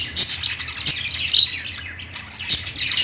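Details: Budgies singing on a perch in a pet store: a dense, overlapping chatter of high, quick chirps and warbles from several birds, with a few louder sharp notes standing out and a faint low hum beneath.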